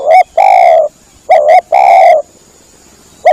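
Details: Spotted dove call played as a hunting lure. A loud, rough three-part phrase of a short note, a quick double note and a long drawn coo falls slightly in pitch. It repeats twice, with a new phrase starting at the close.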